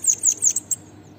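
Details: Bananaquit (sibite, cambacica) song used to train other birds: four high, sharp, slurred notes in fast succession, then one short clipped note. Brief and clean.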